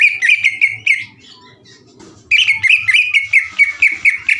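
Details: Greater green leafbird chatter for provoking rival birds: a quick run of bright staccato notes, a soft lull with faint low sounds, then another fast even volley of sharp high notes.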